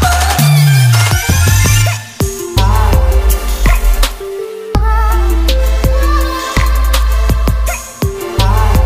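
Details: Loud electronic dance music with heavy bass, pounding drums and synth melodies, no animal voice heard.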